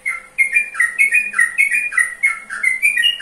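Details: Sooty-headed bulbul song: short, clear whistled notes in quick, uneven succession, some rising and some falling, with several phrases packed into a few seconds against a faint steady hum.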